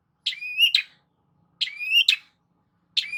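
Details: Long-tailed shrike song used as a lure to get a silent shrike singing: three phrases, each a harsh burst, a high whistled note sliding upward, then another harsh burst, repeated about every 1.4 seconds with silence between.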